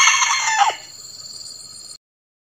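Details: Final part of a decoy Red junglefowl's crow, loud and raspy, dropping sharply at the end, followed by a steady high-pitched tonal hum before sudden silence.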